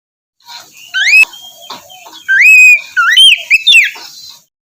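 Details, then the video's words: Oriental magpie-robin morning song to coax a bird into singing: a few clear rising whistles and a longer sustained note, then a quick burst of curling slurs. "terapi pagi cocok untuk mancing kacer malas bunyi agar cepat gacor"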